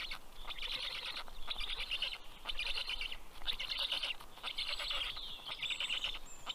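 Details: Black stork (Ciconia nigra) chicks at a nest in Karula National Park, southern Estonia, give harsh, wheezy overlapping begging calls in bursts, greeting the adult male bringing fish, 11:00 am, 11 June 2023.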